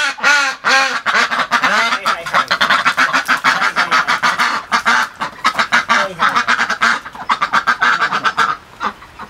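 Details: Pet domestic duck at a home, called over by its owner at feeding time, quacking loudly and almost nonstop, with rapid, harsh, nasal quacks tumbling over one another for about nine seconds before easing off.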